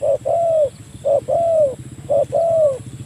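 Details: Spotted dove calling a rival, a recording used to lure doves: low hooting coos near 600, each a short note followed by a longer falling coo, repeated about once a second three times, with a faint low hum beneath.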